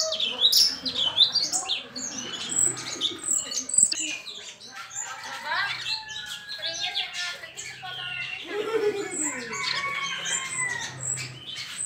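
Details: A pair of sooty-headed bulbuls, kept birds said to sing constantly day to day, chatter nonstop with quick bubbly whistles and chirps, mixed with high twittering from other small birds.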